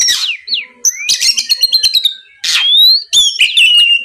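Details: Oriental magpie-robin song used as a lure to provoke a rival into answering: harsh buzzy bursts alternate with bright whistled notes, rising and falling slurs, and rapid clicking ticks in short phrases.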